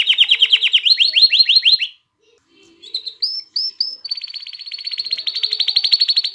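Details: Canary song played to stimulate females to mate and chicks to sing: fast rattling trill of repeated notes, a brief pause, then clear whistled notes and a long steady rapid trill.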